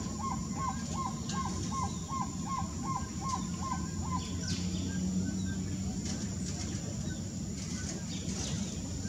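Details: A black-tailed trogon in the Brazilian Amazon gives a steady run of about ten soft, hollow, evenly spaced hoots over four seconds, then falls silent amid constant insect hiss and a low background hum.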